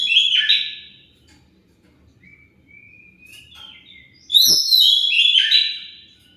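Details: Oriental magpie-robin song meant to draw an answer from other birds: a loud whistled burst, a quiet stretch with soft rising and falling whistles, then a second rich, varied phrase of high notes after a sharp click.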